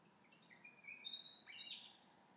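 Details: Unidentified bird whistling at night from a windowsill, as it does through most of the night: a faint, thin, drawn-out whistle that rises in steps and then slurs down, over a soft background hiss.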